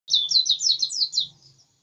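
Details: White-eye singing insistently: a quick run of high, sweet, warbled notes that slide up and down, about eight in under two seconds, with a faint low murmur underneath.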